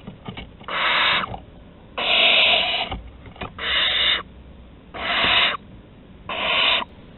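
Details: Barn owl young at the entrance of their Théding nest on 15 August 2020, around prey deliveries: five breathy, hoarse screeches in fairly quick succession, each under a second, with scratching and rustling between.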